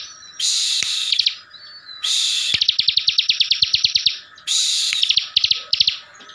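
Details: Caged Bar-winged Prinia from Tegal, Central Java, singing ngebren to make other birds answer angrily: three buzzy outbursts, the middle one running into a long rapid series of evenly spaced sharp chips.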